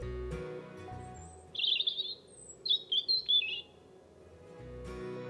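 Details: European Robin, a bird said to be fiercely territorial over its food supply in gardens, singing two thin, high, warbling phrases with quick trills and slurred notes, framed by soft music before and after.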